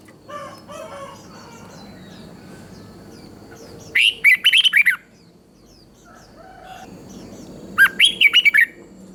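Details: Thai red-whiskered bulbul singing in southern master style, meant to rouse other bulbuls and teach young birds: faint twittering opens, then two loud chattering warbled phrases of rapid up-and-down notes near the middle and end.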